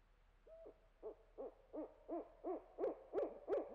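A barred owl gives a run of about nine deep, arched hoots, roughly three a second, growing louder and slightly more emphatic toward the end.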